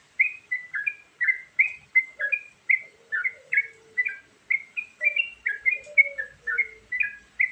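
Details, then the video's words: Yellow-vented Bulbul (trucukan) singing a varied filler song used to lure birds: bubbly, chirping two-note phrases repeated rapidly and almost continuously, with a faint lower sliding whistle beneath at times. "Suara Burung Trucukan Isian Variasi"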